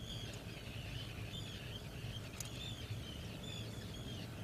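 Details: Black guillemot at its nest burrow, a seabird ashore to breed: faint thin whistles, some rising and falling, strung in a loose series over a steady low hum.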